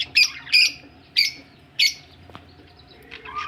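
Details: Four loud, clipped chirps spaced about half a second apart from budgerigars ready for laying eggs, followed by faint twittering and a rising squeak, with a low background hum.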